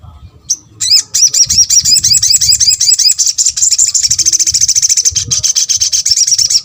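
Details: Sunbird calling to get other sunbirds to respond: a loud, sustained, fast chattering trill of high, repeated notes running about five seconds, with a faint low rumble beneath.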